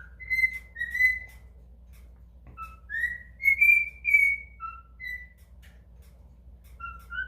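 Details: A cockatiel sings a made-up song, a halting tune of clear, mid-pitched whistled notes that slide up and down.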